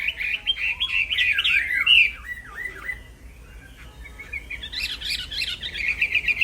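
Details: Black-throated laughingthrush song for songbird training: a burst of varied whistles with downward slurred notes, a quieter lull, then a renewed busy chatter of high whistling.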